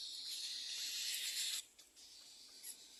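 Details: Young little egret at a second nest begging its parents for food with a continuous scratchy hissing wheeze that fades out after one and a half seconds.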